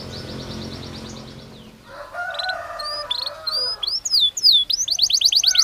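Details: Belgian canary singing naturally, starting faint with a soft distant trill and a low murmuring background, then growing louder into upward and downward whistled slurs and a rapid high trill.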